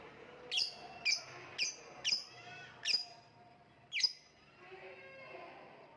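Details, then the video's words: Shrill, piercing lovebird chirps, six sharp metallic notes repeated roughly every half to one second, each a brief downward-slurred squeak, with a quiet room background. "voice of lovebird / Lovebird kicau"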